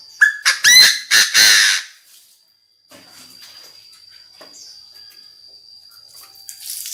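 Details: Decoy Chinese francolin calling the flock and crowing very intensely: a loud, harsh burst of several rapid grating notes within the first two seconds, then near silence. A steady high electronic whine runs throughout.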